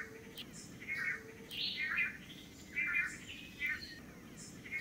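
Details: Long-tailed Manakin males displaying to a female at a lek in Costa Rica; uneven buzzy nasal notes mixed with thin whistles and chirps from other birds.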